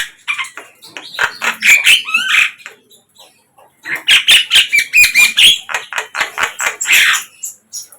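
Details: Two bursts of rapid chattering from a wild flycatcher, a quick jumble of scratchy chips and slurred whistles, separated by a short pause in the middle.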